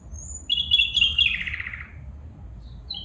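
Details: A female bulbul gives a thin high whistle, then a drawn-out buzzy chatter that drops in pitch and fades, followed by a brief high note at the end; low hum underneath.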